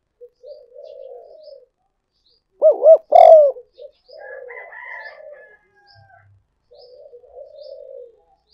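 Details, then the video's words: Spotted dove calling as a lure: soft low coos, then a loud two-part arched hoot with a drawn-out ending, followed by murmuring coos and a faint higher drawn tone. "cu gay moi chuan"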